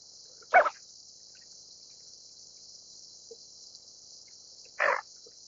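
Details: Greater Scaup (Aythya marila) gives two short, harsh, rasping calls about four seconds apart, over a steady high insect-like hiss.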